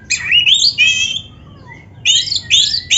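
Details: Brief burst from a black-breasted Oriental magpie-robin singing to stimulate caged birds: a buzzy, rising trill, a soft falling whistle in the gap, then renewed harsh rasping notes.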